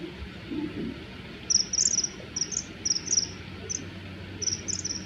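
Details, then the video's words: Rival male common kingfishers clash over territory in a hovering aerial chase, calling threateningly: clusters of sharp, high-pitched shrill notes, several in rapid pairs, after a quiet opening with faint low rustle. "カワセミの鳴き声04 【華麗な空中戦】雄の縄張り争いで喧嘩"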